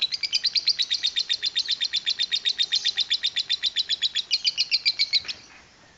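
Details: Lovebird in an extended chatter: rapid, evenly pulsed high squeaky notes running for five seconds before abruptly stopping, followed by quiet.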